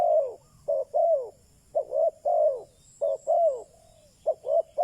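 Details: Spotted dove used as a decoy for wild doves, repeating low mellow coo phrases, brief notes leading into longer slurred ones, about four phrases in five seconds.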